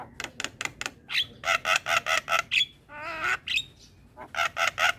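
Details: Javan myna morning song, played so young mynas copy it: evenly repeated harsh squawks, a rising whistle, and a wavering nasal trill, then more rasping notes.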